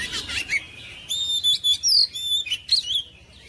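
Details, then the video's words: Oriental magpie-robin song for provoking lazy kacer to sing: a scratchy opening, then pure, high, steady whistled notes and bright upslurred trills in quick succession. "KICAUAN KACER MENGOYAK KACER BISU MALAS BUNYI JADI NGOTOT GACOR"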